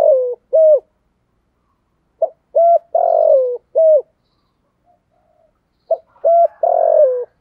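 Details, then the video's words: Spotted dove giving the 'giọng thổ' cooing song: repeated phrases of two or three short, hooked coos leading into one longer, descending coo, with quiet gaps of a second or more between phrases. "cu gáy giọng thổ"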